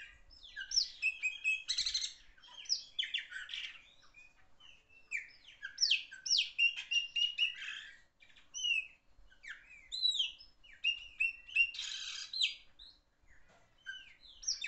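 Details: Chopi blackbird singing loudly and almost without break for about fifteen seconds: a tumbling mix of clear whistles, upslurred and downslurred notes, and harsh buzzy rattles, with only short gaps between phrases.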